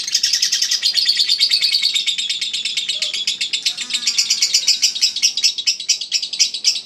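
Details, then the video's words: Eagle Head lovebird, a repeated contest winner, chattering its ngekek: fast shrill pulsed trill, slightly slowing and more separated toward the end. "Ngekek 1 menit up"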